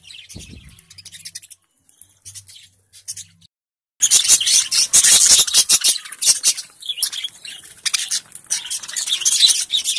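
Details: Lovebirds in India, eating and playing with each other, chatter in a dense stream of high, squeaky chirps and squawks after a few quiet seconds.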